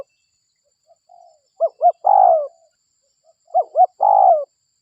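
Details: Local spotted dove calling, used to lure other doves: a soft faint note, then two quick rising-falling notes and a long falling coo, the pattern given twice.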